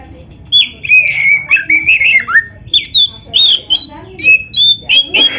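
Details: Oriental magpie-robin song for training other birds: loud varied whistles, sliding and warbled phrases, with sharp chipped notes in quick succession over a low background hum.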